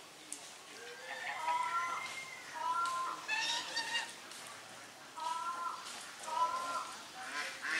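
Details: Domestic swan geese with grey domestic geese, drying their bodies, Sony camera recording; loud paired nasal honks, slightly rising then level, in clusters around the middle and again near the end, with soft background rustle.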